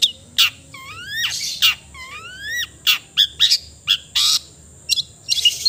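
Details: Long-tailed shrike gives clear rising whistles, several in a row, mixed with harsh scratchy bursts and short sharp notes.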